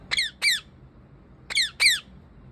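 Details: Parrot perched on a tree, calling in two pairs of loud, harsh, downward-sweeping squawks, with a pause of about a second between the pairs.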